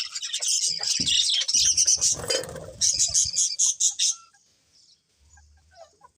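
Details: Several colourful budgies chattering together in a dense, fast warble of high chirps and twitters, loud for about four seconds, then fading to near silence with faint low rumbling.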